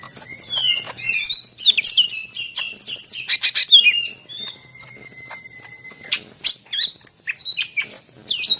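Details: Greater green leafbird singing vigorously, used as a prompt for leafbirds reluctant to sing: rapid varied high whistles, chirps and slurred notes in bursts, with a sustained steady whistled tone in the middle.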